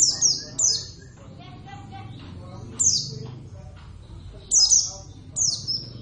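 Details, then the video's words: Javan Oriental white-eye, a kept bird, singing loudly: bright high chirps slurring downward, some paired, separated by short pauses, over soft voices in the room. "plecit gacor"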